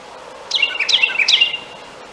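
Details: Carolina wren singing for a mate on a snowy morning: one rapid phrase of three bright, rolling whistled notes, each sweeping down, over faint background hiss.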